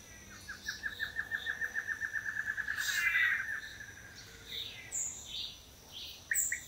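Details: Male Long-tailed Manakins performing courtship displays in pairs on a lek in Costa Rica give a fast stuttering run of about twenty mid-pitched notes over three seconds, followed by a few higher, thin chips.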